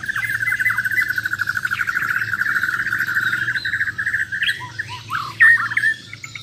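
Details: A Bornean White-rumped shama in a rival contest test, singing besetan and tembakan fills: a long, fast, even rattling trill, then several sharp, loud, separate whistled notes, over a faint low hum.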